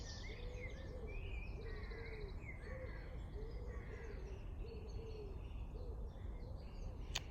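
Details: In a garden with trees coming into leaf on a fairly warm spring day, a wood pigeon gives soft hooting coos about one per second, with small birds chirping higher over low rumble; common wood pigeon.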